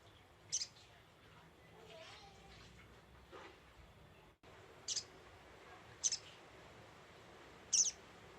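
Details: Lure call of a scarlet-headed flowerpecker, a few thin, very high clipped chips separated by one to three second gaps, with quiet background noise and a brief dropout midway.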